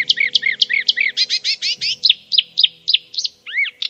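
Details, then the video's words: A Marsh Warbler sings a fast, varied run of high chirps, trills and slurred notes, several rapid phrases per second, imitating central European and African birds heard on its wintering grounds. Faint low hum beneath. "Avec l'extrait suivant, vous allez découvrir les talents d'imitation de notre rousserolle verderolle. Entendez-vous ces imitations d'oiseaux d'Europe centrale et d'Afrique?"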